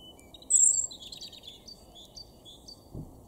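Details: A European robin sings in a garden in Weener, East Frisia, northwest Germany, in April 2021: a very high thin whistle, then a tumbling run of tinkling, jumbled notes. Quiet outdoor background, soft thump near the end.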